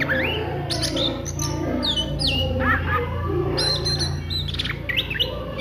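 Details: Midday ngriwik song of an Oriental magpie-robin: scattered whistled slurs and sharp chips, partly masked by strong low rumbling noise and a dense hiss.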